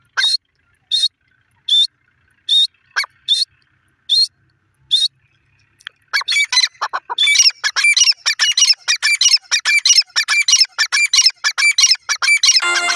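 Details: Grey partridge calling: sharp, high-pitched squawking notes in separate bursts about once a second, then a denser, rapid run of harsh repeated chirps with overlapping calls.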